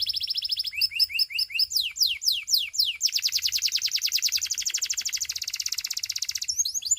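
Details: Russian canary performing a varied song: clipped high notes in pairs, broad falling sweeps, then a long, very fast, buzzy trill of descending notes.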